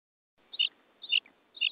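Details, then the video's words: Common quail (bater) calling: three short, bright, slightly buzzy notes, each about half a second apart, over a faint hiss and no other clear sounds. "Bater ki awaz"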